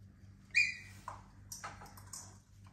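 A cockatoo gives three or four short, harsh squawks and chirps spaced about half a second apart over a steady low electrical hum.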